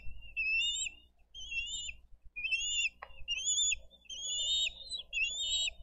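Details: At a Dade County bald eagle nest, 22 April 2023, adults deliver fish and feed their eaglets; series of shrill, quavering whistles, some rising, repeat roughly every second, with a brief click midway and faint low hum.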